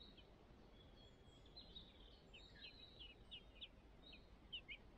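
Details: Song thrush nest holding five young that need feeding. The chicks give a busy run of short, high, downslurred chirps, repeated several times a second. A soft hiss sits underneath.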